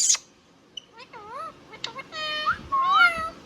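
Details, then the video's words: Indian ringneck parrot at home producing wavy, nasal speech-like syllables, a short sharp note, and a sustained harmonic phrase that bends up and down. "Ringneck Parrot Talking Sound video | Indian Ringneck parrot natural sound"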